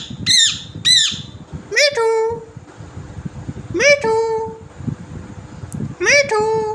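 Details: Green parrot giving harsh, speech-like calls: two quick high squawks, then three drawn-out nasal notes spaced about two seconds apart, with room noise between.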